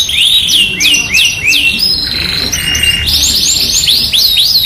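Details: Energetic Yorkshire canary song used as a training lure for other canaries: a series of sharply rising-then-falling whistled sweeps repeated about three per second, a brief steady buzzy tone, then chattering trills with looping slurred notes.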